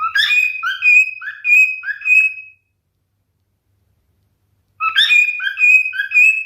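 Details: Whistled song of a male cockatiel: rising chirps mixed with sustained pure whistles, a silent pause, then the whistled phrase starts again.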